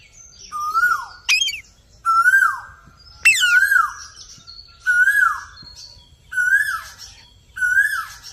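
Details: Parrot repeating a clear whistled note that rises slightly, then slides down. Seven or so phrases arrive about once a second, each with high squeaky chirps layered on top. Quiet background.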